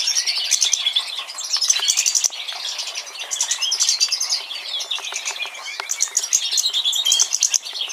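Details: European goldfinch of a mutation form, recorded in 2013, delivering a long, fast, liquid twittering song with trills, buzzes and chattering notes in unbroken phrases.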